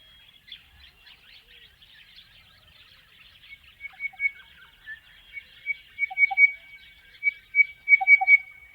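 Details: In the Australian outback, a crested bellbird song starts softly and builds in intensity. Resonant ringing notes repeat rapidly, then deeper liquid bell-like notes come at the end, against a chattering chorus of other birds.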